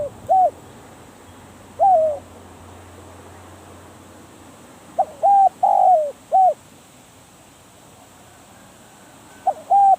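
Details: Decoy spotted dove used to lure wild doves, giving scattered single coos and one full four-note phrase midway. The phrase is mellow and low, with its longest note sliding down at the end. A faint low hum is heard early on.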